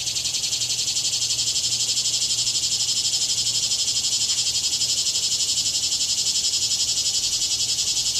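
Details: Two red-bellied woodpecker nestlings in a nest box, close to fledging and fed mango by their parents, make a steady, high, buzzing chorus pulsing about four times a second without a break.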